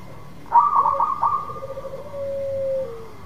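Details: Lively local zebra dove song meant to draw a quiet dove into singing: a rapid stammering run of high notes, then a long even coo that drops slightly at the end.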